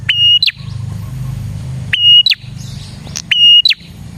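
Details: Prinia lure song: three phrases of a clicking start, a steady high whistle and descending notes, with prominent low vehicle rumble underneath.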